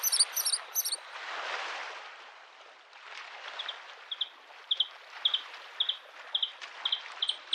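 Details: By a spring lake a Bluethroat gives a few very high twittering notes, is briefly drowned by a surge of waves, then resumes with a string of short high chips repeated roughly twice a second.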